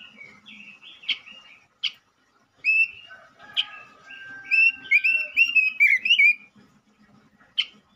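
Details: Male robin song used to lure other robins: scattered sharp high notes, a soft low whistle, then a quick tumbling string of clear warbled notes before a final sharp chip.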